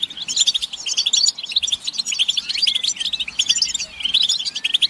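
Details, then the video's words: European goldfinches in group chatter, mating and readiness calls used to make males sing: steady, crowded high twittering and buzzy trills from many overlapping birds, with only a brief dip near the middle. "بتبتة الحسون تحفيز الحسون على التغريد والهيجان علاج صمت الحسون goldfinch stimulation"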